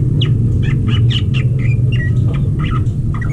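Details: Greater green leafbirds in a captive breeding setting, mating. Short chirped notes come in quick bursts, some sliding down in pitch, over a steady low rumble of background noise.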